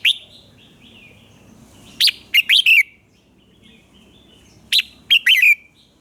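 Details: Morning red-whiskered bulbul song in the fiery training style: two matching loud phrases, each a quick string of four clear whistles ending in a falling trill, separated by soft warbling.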